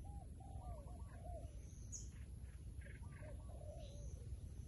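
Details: Wild pigeon giving a series of low, arching coos in two bursts, with brief higher chirps between them and a loud steady low-pitched drone behind.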